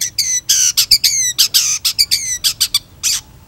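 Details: Long-tailed shrike in chatty song for tutoring: a fast run of squawky, nasal notes with strong overtones, some drawn out and slightly descending.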